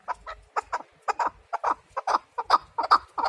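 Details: Short burst of paired, clucking chukar partridge notes, spaced roughly every half second, over low background thuds.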